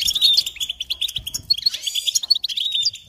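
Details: Quick goldfinch chatter, with bright chirps repeated in rapid succession, a few thin whistles sliding upward, and a faint knock early on.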